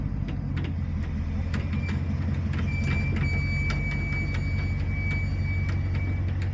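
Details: A passing train rumbles and clatters, with a long, thin, high wheel squeal, and no animal calls.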